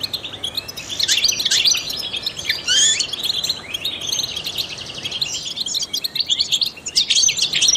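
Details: Trained European goldfinch singing, its song used to stimulate other songbirds; rapid high twittering with sharp rising and falling chirps, brief pauses between bursts, and a steady faint background hiss.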